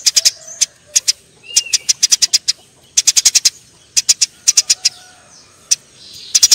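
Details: Fighting Eurasian tree sparrow: clusters of three to six quick piercing chirps separated by brief gaps, with soft lower chirrups between the bursts.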